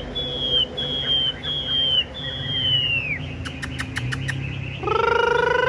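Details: Tame caged Chinese hwamei with yellow legs and yellow bill, singing loudly: four clear whistled notes, each sliding downward, then a quick run of sharp clicking notes, ending in a steady tonal sound with strong harmonics.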